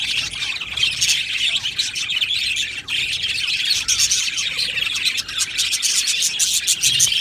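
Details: Aviary full of budgerigars chattering, constant bright twittering and chirped notes layered with occasional harsher squawks, the flock noise unbroken from start to finish.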